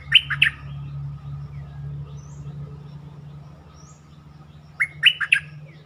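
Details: Bulbul song played to excite birds: two quick bubbling phrases of three or four liquid notes at start and end, separated by several seconds of steady low mechanical hum.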